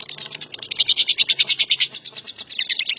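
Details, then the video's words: Contest-champion lovebird singing a fast chattering trill of sharp, high notes, about three per second and then quicker, in a loud run that breaks off, pauses briefly and starts again. "SUARA BURUNG LOVEBIRD JUARA DUNIA"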